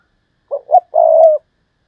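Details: Decoy spotted dove giving a thúc lợi cốt style call: two short low coos, then one long steady cooing note with a slight downward ending. Nothing else is heard.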